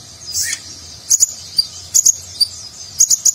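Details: Konin, a nectar-feeding sunbird, in nagen-style song with rich fill for training contest birds; very high, clipped chirps in quick clusters of two or three, repeated roughly every second.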